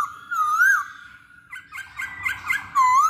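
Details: Lure song of a masked laughingthrush: a loud wavering whistle, a jumble of quieter chattering notes, then another strong undulating whistle.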